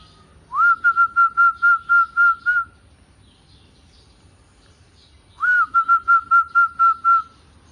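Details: Zebra dove kept as a pet and offered for sale, singing two phrases about five seconds apart. Each phrase opens with a rising note, then runs into eight or nine clear, evenly spaced whistled notes on one pitch. Faint low background hum.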